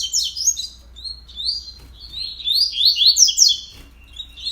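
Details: Coleiro at 06:30 on the morning of 31 October, rattling off rapid high sliding whistles in two bursts with a short lull between.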